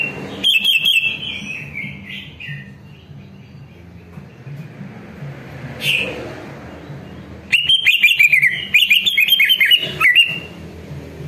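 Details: Greater green leafbird singing as a lure to make other leafbirds respond: an opening run of chattering whistled notes, a quieter pause with a single note, then a dense, fast burst of sharp rising and falling whistles.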